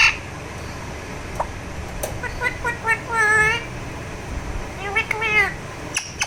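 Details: During massage, a talking Alexandrine parakeet makes soft clicks and then short, warbling, speech-like phrases with wavering pitch, in two groups, amid low background hum and a few knocks.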